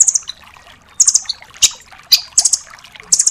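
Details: Velvet-fronted nuthatch, known locally as rambatan doraemon, in a recording used to tutor other cage songbirds: brief high-pitched chattering trills about once a second, with scattered sharp clicks between them.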